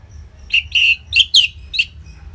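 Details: Song of a caged Orange-headed thrush, known locally as anis merah, played to coax silent birds into singing, from northern Bali: five short rich whistled notes, each sliding down, delivered in under two seconds.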